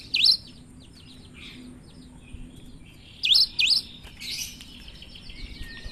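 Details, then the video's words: Cinereous tit in lively, strange-sounding song. One sharp down-up whistled note opens, softer chatter follows, then a clear pair of swooping whistles and a blurred, buzzy note. "Gelatik batu gacor suara aneh"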